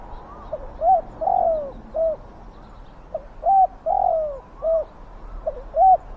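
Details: Decoy spotted dove calling to draw in wild doves, its voice big and fierce: repeated phrases of short hollow coos, each with a long, slurred, descending note, over a faint hiss.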